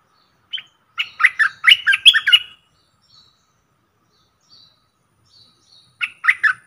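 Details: Streak-eared bulbul decoy bird luring wild birds: one lone chirp, then a tumbling series of harsh, slurred chirps, a long quiet stretch with faint distant high calls, and a short new burst at the end.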